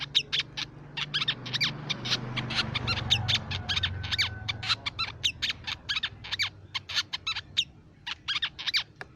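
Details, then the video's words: Crimson sunbird lure and tutor recording: rapid, high, sharp chirps and short trills tumble in dense bursts for about nine seconds, over a low steady hum that swells in the middle. "Suara Pikat Burung Sepah Raja & Masteran Sepak Raja"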